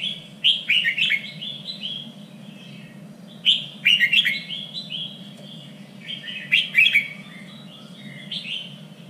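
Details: Red-whiskered bulbul singing for contest training, a lively run of bright warbling phrases, each a cluster of slurred, rising and falling notes, repeated several times over a faint constant background hum.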